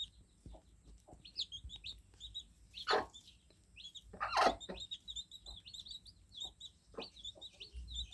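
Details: Newly hatched fluffy chicks cheeping together: a steady stream of short, high, downward-slurred peeps. Two loud, rough knocking bursts come near the three- and four-and-a-half-second marks.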